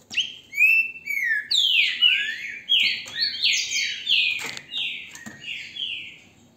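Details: A green-winged saltator in captivity in Brazil, recorded with a phone held in hand, sings a long series of loud, clear whistled notes, mostly falling slurs, repeated in quick succession for over six seconds.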